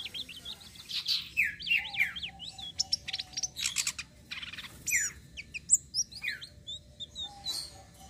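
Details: Tledekan sitrun selendang biru flowerpecker rolling its song ('ngeroll'), used to draw in other birds; zigzagging high twitters at first, then sharp chips and short slurred notes, loud and fast.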